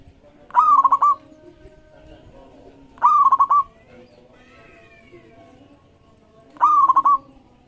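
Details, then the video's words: A local zebra dove (perkutut) gives phrases of quick, soft, staccato cooing notes, each burst under a second and repeated about every three seconds, over a quiet background. "Masteran Perkutut Lokal Gacor Iramanya Mengundang Lawan Bunyi"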